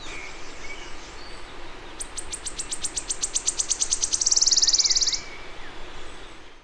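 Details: A wood warbler in spring in ancient oak, birch and hazel Celtic rainforest in the Dyfi Valley, mid Wales, sings high, ticking notes that speed up into a shivering, silvery trill lasting about three seconds, with faint whistles from other birds behind.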